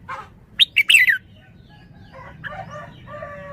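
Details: Red-whiskered bulbul giving a burst of sharp, bright chirps that slide downward, followed by softer warbled whistles in a lower register, over a faint low background hum.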